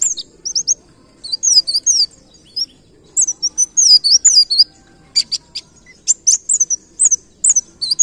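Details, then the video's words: Pleci ngalas tutor recording: scattered high twittering phrases, sweeping whistled figures and sharp click-like notes, grouped in bursts with short silent spells between them. "Masteran Pleci Ngalas Nembak Kenarian"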